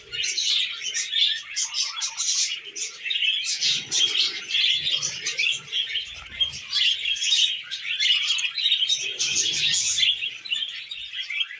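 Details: Several tamed pet budgerigars keep up a busy, overlapping warble of rapid squeaky chirps and buzzy notes throughout, with soft low rustles now and then.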